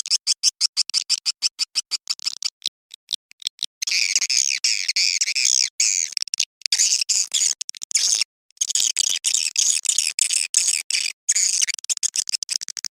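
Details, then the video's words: Swiftlet lure call played at dusk, described as a mating call to attract swiftlets: rapid high, buzzy chirps, first as evenly spaced clicks about three per second, then dense overlapping twittering in long bursts with brief gaps. "SUARA PANGGIL BURUNG WALET BIRAHI SENJA"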